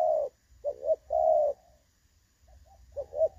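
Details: Spotted dove decoy recording for trapping, clear-voiced 'đồng son' style, dated 16/8/2024: low mellow coos, short notes followed by longer drawn-out ones, with brief pauses between phrases and a faint low rumble beneath.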